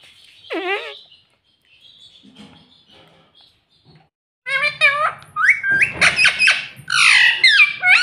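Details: Pet talking parrot, said to say mummy and papa, gives a short wavering squawk, then quiet mutters, then a burst of loud, harsh, speech-like chatter with rapid raspy syllables and shrill squeaks.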